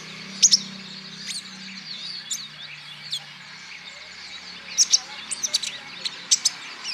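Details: Olive-backed sunbird song played to coax other birds into singing: scattered high, thin tweets and sharp double chirps. A quiet stretch in the middle precedes a livelier burst of chirps near the end. A soft low hum runs beneath.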